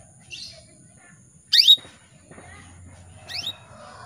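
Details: Female canary calling to males to spur them into singing, giving two sharp, upswept chirps a couple of seconds apart, with a faint softer note before them against low background rumble.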